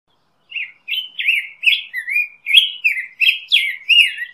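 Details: Black-headed grosbeak song: a quick run of about ten sweet, slurred whistles, each swooping up or down, delivered with barely a pause between them in a quiet setting.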